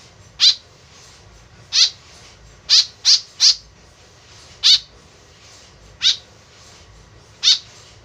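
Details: Tame white-breasted woodswallow calling actively, its voice used as a lure: nine rasping, buzzy notes, including a fast run of four, then spaced singles, with a soft background rumble.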